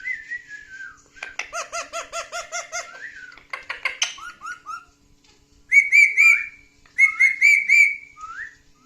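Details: Pet male parrot, described as talkative, laughing while reacting to his own clips indoors; harmonic, voice-like syllables in quick bursts, then loud rising-falling whistled notes in two clusters, with short pauses between.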